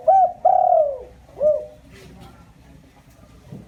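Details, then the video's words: Spotted dove decoy call aimed at exciting wild doves: a single phrase of a short double coo, a long drawn descending note and a curled closing coo, followed by quiet. "Chim cu gáy , tiếng chim cu gáy mồi chuẩn cực hay kích bổi"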